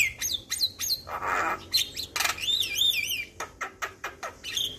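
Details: Javan myna in full song, meant to get young mynas responding fast: sharp whistled notes, a harsh burst, then a wavering warbled whistle, followed by a steady row of clicking notes.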